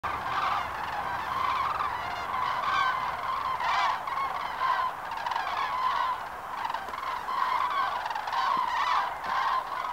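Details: Cranes calling at Lac du Der in February 2012: a dense chorus of loud, rolling trumpeting calls overlapping continuously, many birds honking at once with constant bursts rising and falling every second or so.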